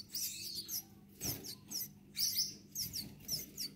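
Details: Gouldian finch chicks uttering repeated high, sharp, wheezy squeaks, roughly every half second, with a brief thump and a faint low hum behind them.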